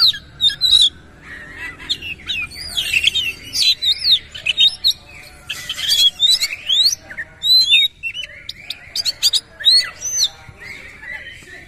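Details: White-rumped shama (kacer) singing with its tail spread; long series of loud, varied whistled loops, trills and sharp chips, delivered in distinct bursts separated by short pauses.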